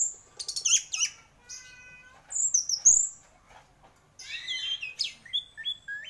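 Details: Champion orange-headed thrush in full gacor song: bright whistled phrases, a stacked harmonic note, sharp high chips and quick descending slurs in varied bursts, over a faint low hum.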